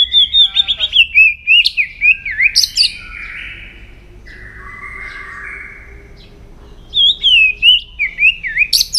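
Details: Morning voice-training song of a White-rumped shama: loud rippling whistled phrases with twisting notes, a pause filled by softer buzzy trills, then another bright, fast warbled phrase.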